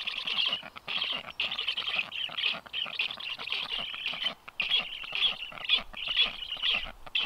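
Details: Black stork nest on 9 July 2023, filmed by livestream camera as a strange unringed stork lands; continuous raspy, hissing wheezes run together in rapid pulses about twice a second, with brief pauses.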